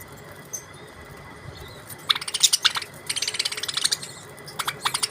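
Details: Australian budgerigars chirping: after a quiet start, bursts of rapid, scratchy, high chirps and clicks come in quick trains, with a steady faint hum behind them.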